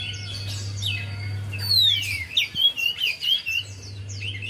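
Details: Javan white-eye singing as a lure for a reluctant bird: a long descending whistle opens a quick run of high, warbling chirps, with a constant low hum in the background.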